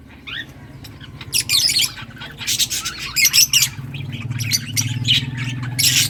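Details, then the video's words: Lovebirds of all colours chirping and squawking, a flock of birds giving harsh, buzzy, high chirps in bursts, with a steady low hum underneath. "Lovebirds singing & chirping sounds"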